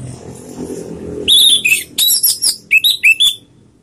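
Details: Orange-headed thrush recorded as a lure to prompt singing: after a murmuring background, a sharp whistled phrase with buzzy high notes, ending in three quick downslurred whistles.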